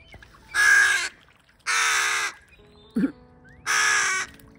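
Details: Young crows in a family group begging their parents for food give three long, harsh, strained rasping calls roughly a second apart, with a short lower sound between and a person speaking nearby.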